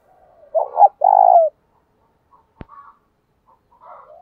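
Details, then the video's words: Fight-provoking 'thổ' style cooing of a spotted dove, meant to make lazy wild-caught doves coo: one strong phrase of a quick double note and a sustained vibrating coo, followed by a click and faint distant coos. "cu gáy giọng thổ pha thúc đấu, tiếng gáy trị chim cu gáy bổi lười gáy lâu năm"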